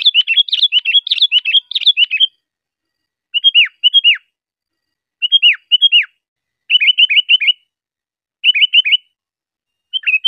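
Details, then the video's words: Sooty-headed bulbul song used to train cage birds: opening with a dense run of chattering whistled notes, then spaced phrases of two to four hooked, falling whistles, clean background without other sounds. "suara burung kutilang || UNTUK ISIAN"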